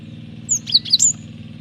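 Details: Cinereous tit singing actively, used as a lure and tutor recording for training birds: a short phrase of three or four high, sharp whistled notes, some falling and some rising, over a steady low hum.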